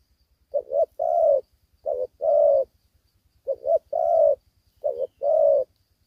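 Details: Spotted dove, a young caged bird without its full neck-spot collar, calling during a fighting contest in Vietnam: paired short coos followed by a longer steady coo, repeated in loose phrases with a faint low hum beneath.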